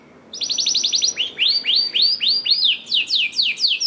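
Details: Canary lure song to make idle canaries sing: a quick run of high chips followed by evenly spaced arching whistled notes, each rising then falling, about two per second.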